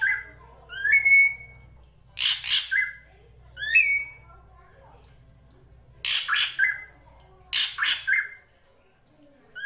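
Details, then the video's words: Srigunting krantil (drongo) master song for training songbirds: sharp rising whistled calls alternate with harsh, raspy squawking bursts, against a steady low rumbling background that fades near the end. "MASTERAN SRIGUNTING KRANTIL FULL ISIN"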